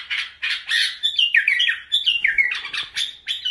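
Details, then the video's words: Bulbul song from Iraq: rhythmic run of squawky, slurred phrases with downward-sliding whistles, repeated several times a second. "تغريد بلابل العراق"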